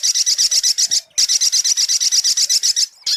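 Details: Rapid, high buzzy trill of a sunbird used as a lure recording, pulsing about four notes per second with two short pauses.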